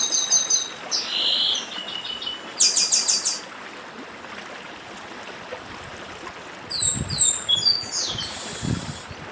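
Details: Papa-arroz of the Brazilian Northeast in 'dedim' song, with bursts of very high buzzy, stuttering notes and sharp sweeping chirps separated by gaps, set against continuous running-stream noise.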